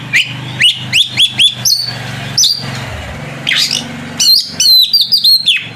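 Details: Oriental magpie-robin singing loudly to provoke a rival into answering: bright whistled notes with sharp upward sweeps, grouped in quick bursts, under a steady low hum.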